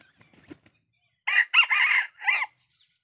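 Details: Red junglefowl crow from a decoy rooster used to lure wild junglefowl in a small oil palm plantation in Sumatra: a loud, harsh four-part crow, a short first note, a long middle stretch and a falling last note, after faint rustling.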